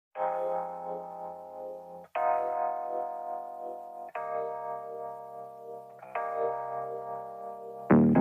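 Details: Strummed, distorted guitar-like chords ring out in four sustained blocks, each about two seconds long, with rich stacked harmonics and no animal voice heard.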